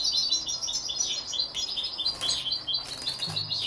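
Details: Young canary x European goldfinch hybrid, 33 days old, twittering continuously in a rapid, high, chattering warble of varied chirped notes, with a soft low thump near the end.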